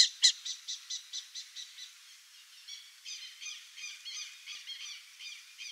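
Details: Burrowing owl giving a loud click, then a quick fading series of sharp ticking notes, followed by softer, rolling, upslurred chirps repeated about twice a second.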